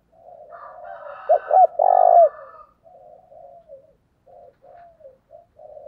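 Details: Spotted dove lure call, used to provoke rival males: one loud three-part coo, two short rising notes then a long trilled note, followed by fainter, lower coos trailing off.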